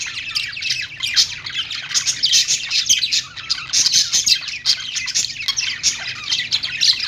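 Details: Budgerigars at morning: an unbroken stream of high, rapid chirps, squeaks and scratchy warbling from what sound like several birds together, fairly even in loudness throughout.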